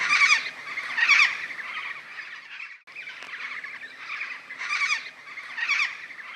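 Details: Wild Major Mitchell's Cockatoo, or Pink Cockatoo, near remote waterholes in the Australian outback, its call a sign the birds are nearby: harsh, raspy, quavering screeches in paired bursts about a second apart, a brief gap midway, then more screeches.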